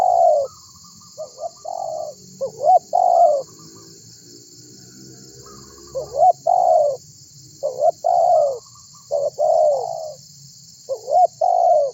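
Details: Spotted dove calling to draw other birds into calling, used as a lure. Groups of short upward-flicked coos and longer falling coos come in bursts separated by a quiet pause, over steady high hissing.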